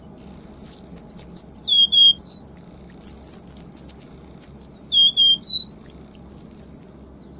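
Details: Cuban bullfinch in 'tembakan rapat' tutoring song: a steady stream of short, very high whistled notes, repeatedly cascading down in pitch and restarting high, over a soft low background hum.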